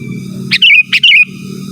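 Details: Sooty-headed bulbul calling rivals, a recording meant to draw in wild birds; two short gurgled, wavering whistles in quick succession with click starts, over low humming noise.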